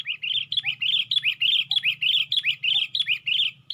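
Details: Sooty-headed bulbul used as a lure sound, perched on a branch and raising its wings: a steady run of bright, chirpy, slurred two-part phrases repeated rapidly and evenly, with a faint low hum beneath.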